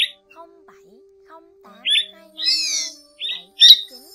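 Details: Striated swallow flock call, a recording used as a lure for trapping with nets and glue. Short scratchy chirps and buzzy twittering notes come in separated bursts over a faint steady low hum.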